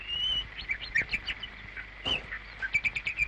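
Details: Nightingale song, heard on Spanish nights and used to mark a territory in thickets; clear whistled notes and quick chirps in short phrases, with a louder burst mid-phrase and rapid pulsed notes near the end.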